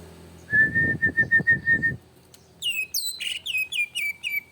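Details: Greater green leafbird singing emotionally as a lure to provoke singing: a row of about eight evenly spaced clear whistles on one pitch, a short pause, then sharp high downslurred notes tumbling lower in quick succession.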